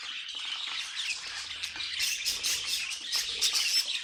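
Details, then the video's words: Group of budgerigars warbling: rapid chirps and a short rising whistle early on, then a louder burst of buzzy, rattling chatter in the second half, all high and fast. "Budgies Singing and Being Cute"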